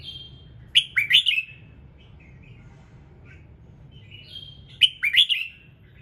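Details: Red-whiskered bulbul in morning song, used to get other birds singing: a whistled lead note then a rapid burst of bright, rising-falling chirps, soft twitters in between, the phrase returning after about four seconds.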